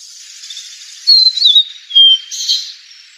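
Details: ['Fork-tailed sunbird, known locally as tledekan or sulingan, in a lure recording. Bright, high whistled notes are slurred together, then comes a longer falling whistle and a hissy burst over a constant high background hiss.']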